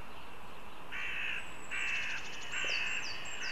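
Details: Northern goshawk Pērle at a nest in Riga, Latvia, begins giving harsh, drawn-out begging wails, four in under three seconds, with thin descending whistles from another bird above.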